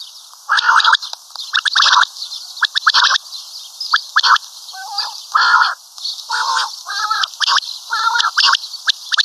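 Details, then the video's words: Common quail, locally batair, uttering loud, coarse, buzzy calls in quick bursts of one to three notes. Some notes are drawn out and grating, separated by brief quiet gaps with faint high chirping. "Common Quail Calling|Batair Ki mote Awazay| Karkari Batair Ki Awaz|Maadi Batair Ki Awaz|Quail sounds"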